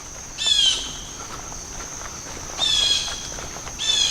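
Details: Wild blue jays scolding a hiker on a forest reserve trail, alarm calling to warn the woods of a human and put other animals on alert: harsh, loud jeers with a buzzy ringing quality, three bursts over four seconds.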